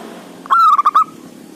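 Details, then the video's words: Loud local male Zebra dove, used to prompt quiet doves to sing, calling to a rival. A single clear, mellow cooing phrase: a sustained note breaking into three quick rolling pulses, over low background hum. "Suara Perkutut Buwat Pancingan Perkutut yg malas bunyi"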